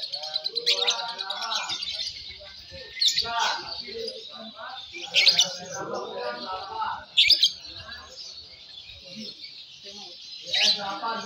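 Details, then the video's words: Lovebird of the fighter class, a young Balibu bird, singing during a singing competition: a dense, high, shrill chattering trill with sharp louder bursts about every two to four seconds, over a background of human voices talking. "Suara Burung Loverbird Fighter M1, M2 Balibu Saat Lomba"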